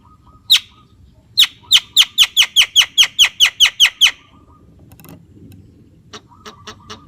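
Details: Javan myna producing a fast, regular run of about a dozen harsh, clicking notes, followed by a few faint ticks, with a thin steady tone in the background.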